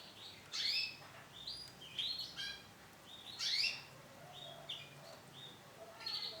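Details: Sharp high chirps from a female canary of isabel colour, single notes or small pairs spaced about a second apart with quiet gaps between.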